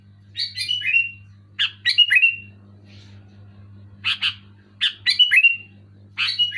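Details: Sooty-headed bulbul in vigorous voice: repeated phrases of three or four quick chattering notes stepping down to a brief sliding whistle, separated by short pauses, against a faint low hum.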